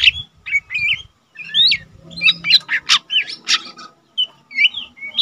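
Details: Untrained lesser green leafbird singing keenly in captivity, offered as tutor song for cage birds. Loud squawky chirps and rising-falling slurred whistles come in choppy phrases, with low thumping noises underneath at times.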